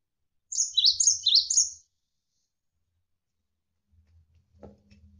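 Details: Javan sparrow training song for competition or home birds, set over flowing water: one quick burst of three high, sharp chirping notes, each dipping then rising, lasting about a second, then a soft low rumble.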